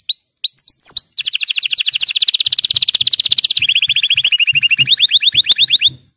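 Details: Canary song opening with a few rising whistled notes, then a long fast rolling trill that drops in pitch in steps and speeds up, with faint low knocking in the background.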